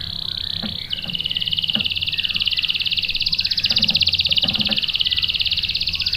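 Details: Canary in a lure recording meant to draw a male into singing: one long, unbroken rolling trill of very fast pulses, high-pitched and steady for over six seconds, with faint low background noise.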